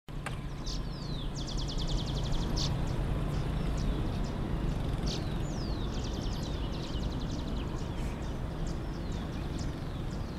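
A young Brown-bellied Swallow gives thin, high chirps and short rattling trills in quick bursts, set against a heavy, steady low rumble.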